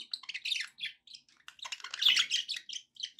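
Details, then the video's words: Budgerigars kept as pets give dense, rapid chatter of scratchy chirps and warbled squeaks, rising into a louder burst near the middle before settling back. "budgie sounds"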